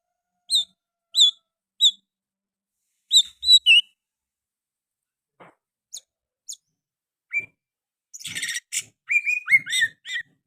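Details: Oriental magpie-robin in full song with sooty-headed bulbul phrases worked in: evenly spaced high whistled notes, a short pause with a few faint ticks, then a dense burst of scratchy chatter and slurred whistles.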